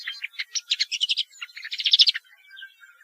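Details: Woodchat shrike singing two short bursts of scratchy, chattering notes separated by a brief gap, then trailing off into faint, thin whistles; clean recording with no background noise.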